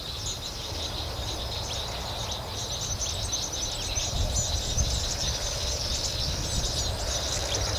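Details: Cape weaver recorded at Vryheid, South Africa, on 2 December 2011: steady, dense, high chattering and swizzling notes run on without a break over a constant low rumble of background noise.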